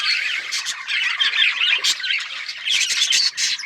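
Budgerigars chatter nonstop in a dense mix of scratchy chirps, squawks and warbled notes, several birds overlapping at a high pitch.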